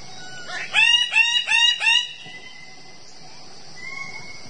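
A bird-of-paradise gives four loud, harsh, nasal notes in quick succession, about three per second, followed by a thin high whistle in a quiet background.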